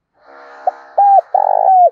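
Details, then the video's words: Spotted dove decoy bird, thổ đồng voice, cooing to stir rivals: a quick note, an arched coo and a long falling coo over a steady low humming drone. "Chim Cu Mồi, cu gay kich boi nhanh noi gù"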